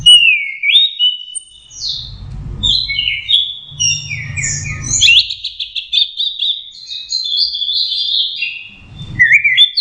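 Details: Young orange-headed thrush learning to sing: varied whistled phrases, sliding and warbling, high-pitched with quick trills and rising notes, nearly continuous over ten seconds; low thumping bursts in the background.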